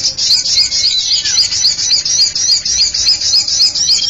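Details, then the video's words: Common iora calls played as a bird-catching lure: a continuous, rapid, buzzy high trill pulsing about four times per second, with one short downslurred note near the start. "Suara Pikat Burung Cipow | Sirtu"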